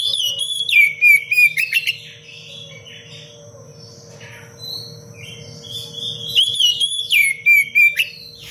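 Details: Oriental magpie-robin singing constantly in the dense, sharp cengkok rapat manner for tutoring other birds: rapid repeated whistled phrases with trills, a quieter middle stretch, then a renewed burst of bright notes.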